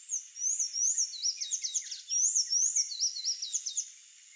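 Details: Sayaca tanager song: high, thin, squeaky upslurred notes strung into quick chattering phrases, about two and a half notes per second, with the phrase given twice in four seconds against a quiet background.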